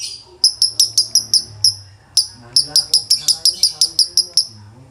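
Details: Male lovebird singing in the konslet style with a dry tone: rapid sharp high chirps, about six in a first burst, then after a short gap a longer run of eleven evenly spaced notes; faint low hum beneath.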